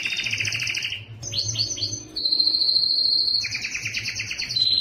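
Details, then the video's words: Yellow canary alternating fast doubled trills with a series of quick downslurred notes, a long clear high whistle, and another rapid rolling trill. "yellow canary singing"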